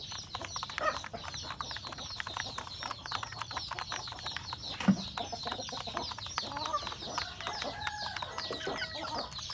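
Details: Rural chickens, roosters with a hen, pecking at breakfast: a steady rattle of beak taps, faint clucks, high chirping, and a single sharp knock near the middle.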